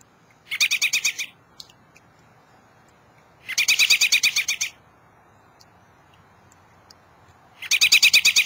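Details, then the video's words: A robin on a birdbath sings short, high, rapidly pulsed phrases about a second long, repeated roughly every three seconds against a quiet background. It is said to sing two different songs. "Robin Singing"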